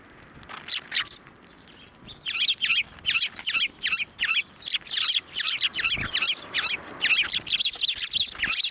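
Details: Sparrows landing on a hand to be fed at a Tenmangu shrine, 11 March 2024: a few chirps at first, then nearly continuous rapid, high chirping in rhythmic bursts.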